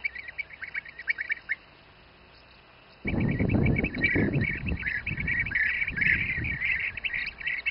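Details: Bee-eaters feeding youngsters, Přerov region, Czech Republic: soft rolling calls at first, a brief lull, then loud rumbling low noise with continuous overlapping trilled calls above it.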